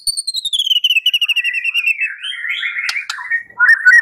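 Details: Lure recording of white-rumped shama song meant to make a bird answer: a long rapid trill of repeated notes sliding gradually downward, followed by rich warbled phrases and a few sharp clicks.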